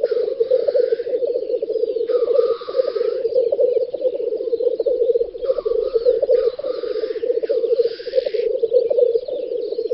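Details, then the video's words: Black grouse males lekking on a spring field, Volga federal district, western Russia, 9–10 May 2019: a loud continuous bubbling, gurgling coo, broken by long harsh hissing sneezes roughly every two to three seconds. "Тетерев-косач токует"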